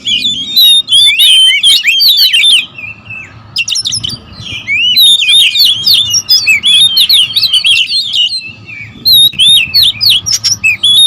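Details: Noisy group of oriental magpie-robins (kacer), a territorial species, sounding agitated: long stretches of fast, tangled whistles and scratchy notes, broken by two short pauses, with clicks and a steady low hum beneath.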